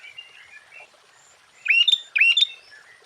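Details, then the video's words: Sooty-headed bulbul song for provoking other bulbuls: after soft distant chirps, two loud bubbling phrases of upslurred and level whistles arrive close together near the end. "Suara Burung Kutilang Gacor KUTILANG FULL ISIAN Ampuh untuk menaikkan Mental EMOSI Kutilang Lain."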